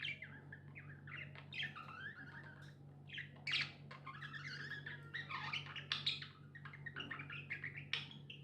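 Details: Pet budgerigars chirping indoors, a dense stream of short warbled and buzzy notes with quick rising and falling chatter, overlapping voices suggesting several birds, over a steady low electrical hum.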